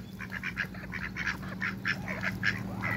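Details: A pair of Muscovy ducks in a backyard with other waterbirds: a quick series of short, nasal quack-like notes, roughly three to four per second, over a steady low hum.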